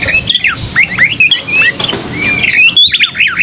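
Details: Scaly-crowned babbler in energetic song, a nearly unbroken stream of quick slurred whistles and chirps that swoop up and down, ending in a fast cascading flourish.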